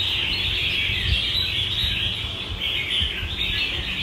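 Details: Caged Red-whiskered Bulbul with a loud, bell-like voice, singing a dense, unbroken high warble of bright chirps that runs through the whole stretch over a low rumbling background.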